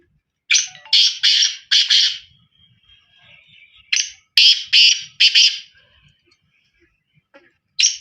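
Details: Black francolin delivering two phrases of four or five harsh, ratchety notes, about three and a half seconds apart, followed by a single rasping note at the close.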